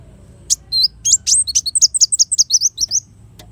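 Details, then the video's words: Sunbird song, offered as a tutor recording for training songbirds: a quick run of high, thin, sharply rising and falling chirps, about a dozen notes tumbling together in under three seconds, with a quiet background. "suara burung kolibri wulung sangat cocok buat masteran"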